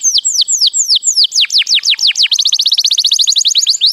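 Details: White canary song: slow series of high descending whistled sweeps that speed up into a rapid, dense trill of short repeated notes.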